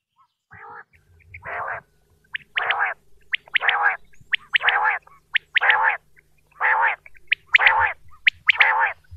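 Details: Quail calls, male and female types described, recorded in Pakistan as a lure for hunters: harsh, buzzy bursts repeated about once a second, interspersed with brief higher chirps, over a faint low hum.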